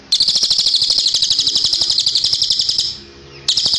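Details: High, rattling cililin trill for training caged songbirds, made of fast, even pulses held for nearly three seconds. It fades, pauses briefly, then starts again sharply.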